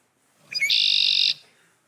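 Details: Male Red-winged Blackbird (Agelaius phoeniceus) song, which announces the singer's species and sex: a couple of quick gurgling opening notes, then a harsh, buzzy trill lasting over half a second.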